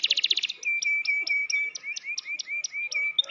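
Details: Caged canary opening with a loud quick burst of repeated notes, then a series of short clipped chirps with low rising whistles, about five per second.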